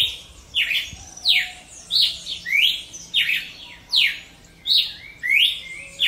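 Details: Cardinal of genus Paroaria singing in nature, giving crisp slurred whistles that drop in pitch, repeated roughly three every two seconds, with faint other bird notes behind.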